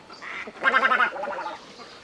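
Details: White egret recording made for bird trapping, with a rough, gargling croak that swells for about one second, breaks into a rasping stutter and trails off. No other sounds.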